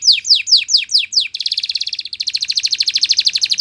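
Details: Belgian canary singing for canary training: six slow descending whistled notes, then a fast, even, buzzy trill of rapidly repeated notes that continues to the end.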